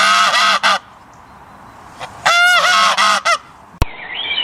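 A goose gives two bursts of loud, harsh, nasal honks, a pair and then a rapid run of about five, ending with a sharp click and a brief synthetic tone.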